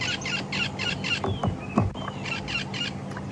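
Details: Red-billed Buffalo Weaver calling overhead during a morning safari drive at Djuma Game Reserve, South Africa, 7 December 2015: rapid, scratchy chattering bursts with a few thin descending squeaks, over a low engine hum and a brief human voice.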